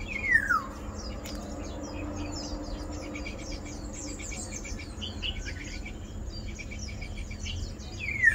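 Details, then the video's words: Black-naped Oriole (Oriolus chinensis), two harsh descending calls about eight seconds apart, one at the start and one at the end, with busy faint chirping of other birds and insects between. "Black-naped Oriole"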